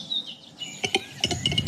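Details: A Western capercaillie, a hard-to-see species in steep decline, recorded by forest acoustic-monitoring microphones, gives a few dry, knocking clicks in quick, uneven succession over a faint high whistle and soft background hiss.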